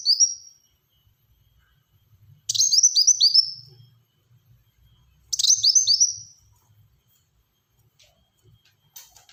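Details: Black-throated sunbird in full song with tight, rapid bursts used for luring and tutoring birds: three high, descending strings of sharp chirped notes, each lasting about a second, separated by quiet gaps of roughly two seconds.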